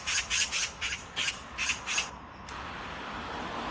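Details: Oriental magpie fledgling not yet ready to leave the nest gives six harsh, hoarse rasping bursts at a brisk, uneven pace for two seconds, then falls silent, leaving steady background hiss.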